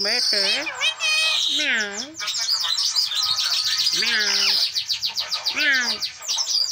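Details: Tame green parrot chattering nonstop as a pet: a dense stream of harsh squawks and rapid high chatter, broken by repeated mid-pitched, voice-like rising and falling phrases.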